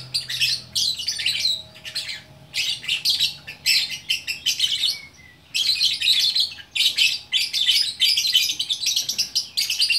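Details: Gacor orkestra song of a single fighter lovebird in Bukittinggi, West Sumatra: long runs of dense, high, scratchy twittering, broken by short silences, then resuming in fast rattling phrases.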